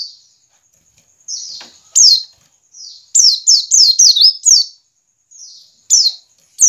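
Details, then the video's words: White-eye ngiriwik calls kept to stir caged white-eyes into song: soft thin high whistles alternate with loud, sharp, downslurred chirps, some in rapid clusters of four or five. "pancingan pleci ngiriwik agar cepat ngalas dan gacor"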